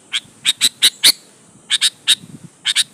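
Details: Sooty-headed bulbul singing vigorously to pressure rivals, used as a lure to make other bulbuls answer: sharp, bright chirps in quick clusters of two or three, separated by short pauses, over a quiet background.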